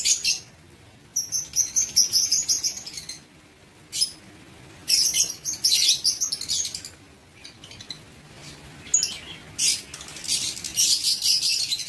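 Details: Caged lovebirds in an aviary on 19 September 2023, giving bursts of shrill, high chirps and squeaks in clusters separated by short quiet gaps, several birds calling together.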